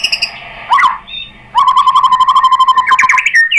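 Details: White-rumped shama song used as a lure to make another shama sing: a rich slurred note, a pause, then a fast rattling trill held steady on one pitch before rising whistles.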